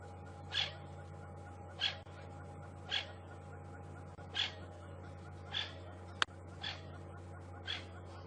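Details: Francolins alarm-calling in long grass on an evening safari drive at sunset, upset perhaps by a snake or slender mongoose, while nearby squirrels stay quiet: sharp, harsh notes repeated roughly every second over a steady low engine hum.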